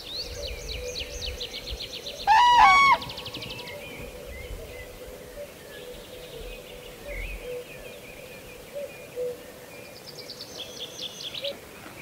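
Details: Common crane (Grus grus) in Kupiškis district, Lithuania, giving a single loud, rolling, bugling trumpeted call that rises slightly, with thin chirping songbirds and a low steady hum behind it.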